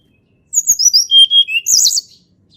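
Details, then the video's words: Blood-breasted flowerpecker singing in a natural recording meant as a lure for silent birds: high, sweet whistles descending in short steps, closing with a bright, rapid twittering flourish; background otherwise quiet. "TLEDEKAN GUNUNG SUARA ASLI ALAM"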